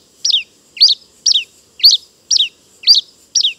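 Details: A Pileated finch sings loud, high, descending slurred notes in a steady rhythm, roughly two per second, against a quiet background.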